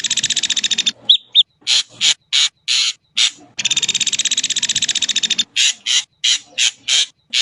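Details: Ashy drongo song made mostly of loud, harsh pulsed rattles, two long grating bursts separated by rapid rasping chips, with a brief pair of whistled notes near the start.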